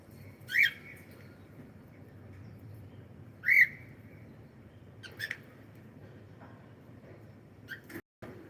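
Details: Pet cockatiel giving two loud, short, harsh squawking calls roughly three seconds apart, followed by fainter clicks and chirps against a quiet indoor background hum.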